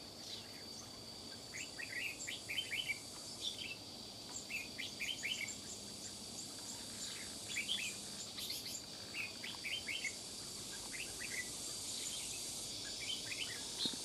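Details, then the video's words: Wild red-whiskered bulbul with a strong, piercing voice fiercely challenging a decoy: continuous run of short chirpy phrases, clusters of quick rising notes every second or so, amid a high insect drone and broad rustling noise. "Chào Mào Bổi Già Rừng Giọng To Đanh/Nhỏ Nhắn Nhưng Ché Đấu Nạt Mồi Cực Gấu"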